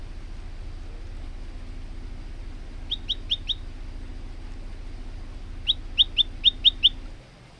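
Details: Male olive-backed tailorbird in full song, used for training other tailorbirds: two short bursts of quick, high, sharp notes, four and then six, over a steady low hum.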